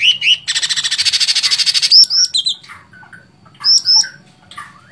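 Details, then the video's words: Sooty-headed bulbul opens with two whistled notes and then a rapid harsh rattling burst. Scattered high slurred chirps and quieter lower whistles follow. "Cucak Cungkok Gacor Fighter"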